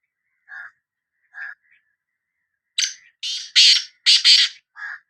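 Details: Two soft, lower notes from a Sindhi black francolin, then its full harsh, creaking phrase of several grating notes, and one more soft note after it.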